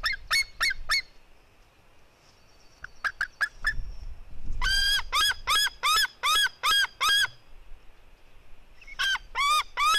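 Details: Fight between a female white-tailed eagle eaglet and her brother at 16:09. Scattered short yelps lead into a quiet stretch with a low rumble. Then comes a rapid burst of seven arched, harmonic calls, and another quick burst closes the recording.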